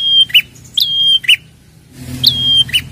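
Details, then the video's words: Prinia lure call: buzzy chips alternate with a high note that falls into a flat, drawn-out whistle, twice in three seconds, with a low hum rising near the end. "pancingan prenjak gacor ampuh merangsang bunyi prenjak"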